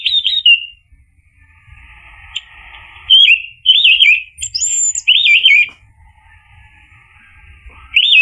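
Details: Orange-headed thrush singing in 'ngeplong' style, used to prompt a silent bird to reply: loud whistled phrases alternate with quiet twittering, including a high thin note mid-sequence.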